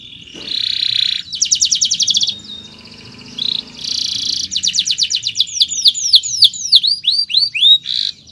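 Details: Canary's long chirping song used for teaching other birds, with dense buzzy trills, rapid rattles and a closing run of quick downward-sweeping whistled notes.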